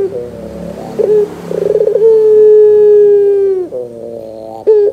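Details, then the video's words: Lure recording of a pelung Barbary dove meant to prompt young birds: a quick pulsing roll gives way to a sustained smooth coo lasting over a second, with a gravelly note and a brief coo at the end. "PANCINGAN PUTER GACOR DOR"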